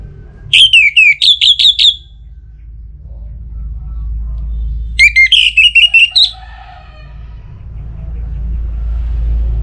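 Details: Orange-headed thrush song played as a lure to make other birds sing, from northern Bali near Singaraja: two loud bursts of rapid, pulsed whistled notes around the same pitch, separated by a quiet gap with low background hum.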